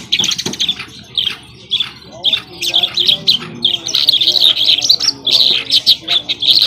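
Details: Afghani jhal, or skylark, in song: dense runs of high, rapid chirps and trills that grow busier and louder in the second half, with a faint low hum and murmuring beneath.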